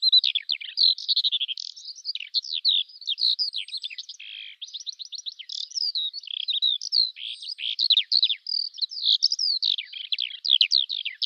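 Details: Eurasian skylark song: a long, unbroken torrent of rapid chirps, trills and buzzy warbles, packed tightly together and high-pitched, with no pauses and no other sounds.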